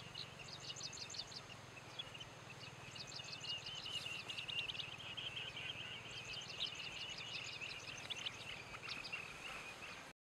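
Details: Two Chestnut-headed Bee-eaters calling to each other at Khao Yai, Thailand: bursts of short high rapid trilled notes in quick series, repeated through the recording over a steady low hum and background noise.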